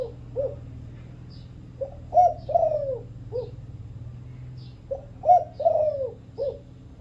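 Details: A Thai-strain (vân rồng) Spotted Dove gives two soft, low cooing phrases about three seconds apart: short coos around a longer, drawn-out downslurred croo, over a faint steady hum.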